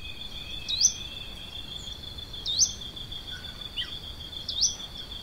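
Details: Plain xenops recorded at Santa Maria do Salto, Minas Gerais, Brazil; short, sharp upslurred whistles rise steeply, repeated about every two seconds, over a steady high insect drone.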